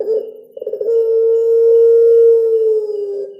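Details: Collared dove of the puter pelung type cooing with cengkok style: a quick throbbing stutter flows into one long, even, low droning note lasting about two seconds, then trails off.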